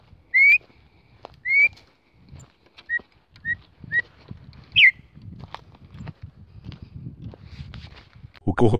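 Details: A female campo troupial calls to stir up males. Two rising-then-level whistles are followed by several short soft whistled notes and one sharp downward-sliding phrase, before a murmur of low background noise and a loud closing thump.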